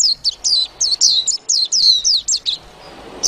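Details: Warbling white-eye twittering song: a quick run of high, thin, downward-slurred notes tumbling almost without pause for two and a half seconds, then a quiet gap before one more note.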